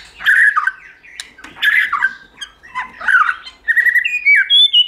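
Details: White-rumped shama, a recording for stimulating and training shamas to sing in many voices: harsh, chattering squawks alternating with short clear whistles, ending with a series of steady high whistled notes.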